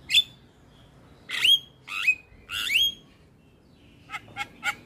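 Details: Male Javan myna, a head-bobbing 'gacor' training bird: loud rasping notes each ending in a clear falling whistle, spaced about a second apart, followed by three short sharp clicks.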